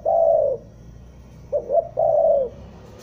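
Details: A spotted dove lure call for trapping, from Bandung. A long, slightly wavering coo is followed by two quick notes and another long, descending coo.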